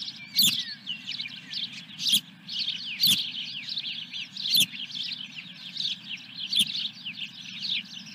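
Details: Osprey calling at the nest as a fish arrives, 17 May 2021: dense, high chittering chirps throughout, with periodic loud clicks and a low electrical hum.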